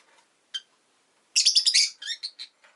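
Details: Pet rosy-faced lovebird in a rapid chattering burst of harsh, high chirps, followed by three shorter notes fading away.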